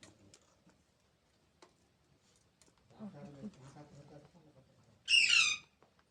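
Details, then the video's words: Baby parrot letting out one loud, rough, buzzy screech after a stretch of soft, low murmuring sounds and a few faint clicks. "Baby Parrots Sounds"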